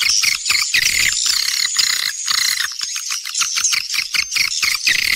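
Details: Edible-nest swiftlet rainy-season breeding lure call, loud, dense chattering of high buzzy chirps and clicks pulsing in quick irregular bursts.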